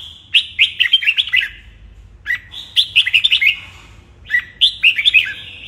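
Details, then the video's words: Morning training song of a red-whiskered bulbul: three separate bursts of fast, bubbling whistled notes, each roughly a second long, separated by pauses of about a second, over a low steady hum. "Luyện chào mào hót sáng"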